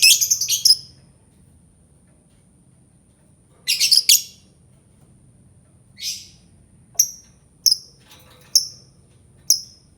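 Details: Albino lovebird: a fast burst of shrill chattering, a pause, another harsh chattered burst, then single piercing chirps repeated roughly every second.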